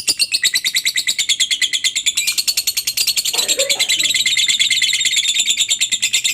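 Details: Lovebird chatter used to stimulate other lovebirds into calling: a fast, unbroken stream of harsh, buzzy chattering notes, several per second, growing denser and louder toward the end.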